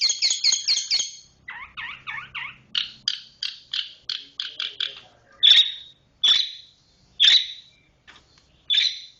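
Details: Long-tailed shrike performing the 'roll speed rapat' song: a quick burst of high stacked notes, then lower buzzy trilled phrases, then spaced, strident chirps a second apart, the pattern changing from phrase to phrase.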